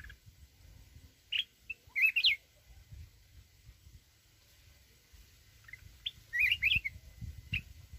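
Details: Red-whiskered bulbul from the mountains in wild-voice song: two separated phrases of fast, bright, twisting whistles, each with rapid pitch swings, set against faint low background rumble.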